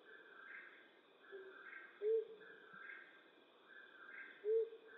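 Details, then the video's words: A Flammulated Owl gives two soft, low single hoots about two and a half seconds apart at night in western North America, over a steady buzzing chorus of insects. "Flammulated Owl Hooting"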